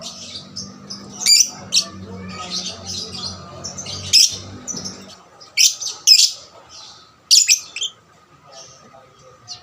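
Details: Lovebird kept singing as a lure for other lovebirds, giving scattered harsh, high squeaks and short buzzy chirps separated by gaps, over a low hum in the first half.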